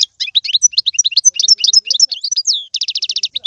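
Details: European goldfinch song aimed at stimulating a pet goldfinch to sing: dense, lively high twittering of varied chirps, ending in a fast, even trill of about ten repeated notes.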